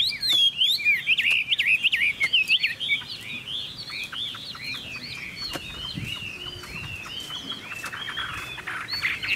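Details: Chinese hwamei from a Vietnamese bird dealer, opening with loud, bright whistled flourishes and fast slurs, then settling into a steady stream of softer repeated warbling phrases that swell again at the close.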